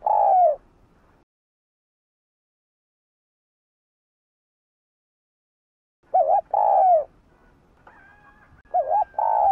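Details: Spotted dove cooing, played to stimulate other caged doves to call; short low mellow coos in two brief bursts separated by a long silence.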